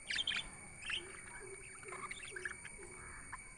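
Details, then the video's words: Budgies chatter in a busy run of high chirps and warbled notes, loudest at the start, with a soft low note repeating roughly every half second beneath. "Budgies chirping sound"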